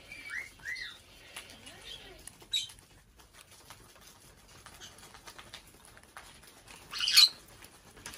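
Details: Pet female black-headed parrot, five years old, kept in a bird room on her birthday: two pairs of short arched chirps at the start, a low faint warble, then one loud harsh screech near the end amid light tapping.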